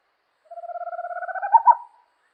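A Striped Owl gives one drawn-out call of about one and a half seconds. It is a fast-pulsing, slightly rising tone that swells louder toward the end. No other sounds are heard.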